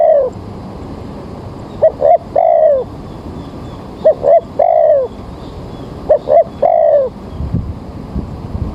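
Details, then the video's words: Spotted dove used for bird trapping, recorded in the morning as rain approaches: three phrases of two short clipped coos leading into a longer falling coo, spaced about two seconds apart. "Mikat Tekukur"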